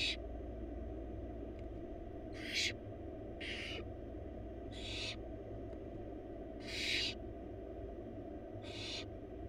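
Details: Wild barn owl babies in a research-monitored nest box, their mother feeding them a huge bunny: a run of six to seven harsh, noisy hiss calls, roughly every one to two seconds, over a low constant drone.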